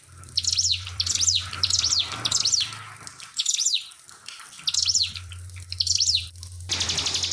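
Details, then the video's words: Pied fantail song with trickling water added: seven phrases of sharp, high, rising-falling chirps at irregular intervals of about a second, over a low hum, then a steady rapid ticking buzz at the end. "SUARA MASTER CIBLEK PINUS NEMBAK SUARA ASLI TAMBAH KEMRICIK AIR"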